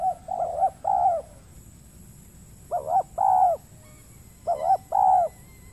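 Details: Wild spotted dove on peat ground in Riau Islands, Indonesia, calling persistently in answer to a decoy bird used for trapping but too timid to fight. It gives mellow, low cooing phrases: two short notes and then a longer drawn coo, repeated three times about two seconds apart.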